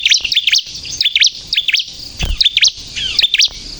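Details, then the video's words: Bar-winged prinia singing hard in crystal style, used for luring and provoking birds: short bursts of high, wavering zigzag chirps, several per second, with one dull low thump midway. "suara burung ciblek kristal gacor untuk pikat dan pancingan ciblek bahan agar bunyi emosi"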